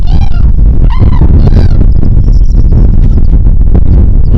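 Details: Cranes on a plateau give three quick trumpeting calls at the start, then only loud gusting wind fills the remaining seconds.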